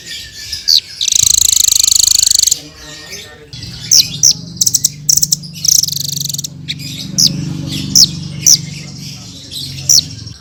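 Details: Hanging parrot opening with a long shrill buzzy trill, followed by sharp high clicks and short squeaky chirps over a steady low hum.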